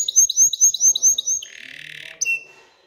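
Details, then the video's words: Canary in an excited state singing to spur females to mate and nest-build: six quick rising whistled notes in a row, then a low buzzy rolling tour, ending with a short sharp high note. "تغريد كناري هائج لتحفيز الاناث على التزاوح وبناء العش"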